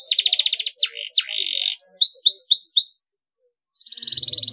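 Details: Singing canary used to spur other canaries to join in: rapid high trills, a row of clear upslurred whistles, a short silence, then another steady trill.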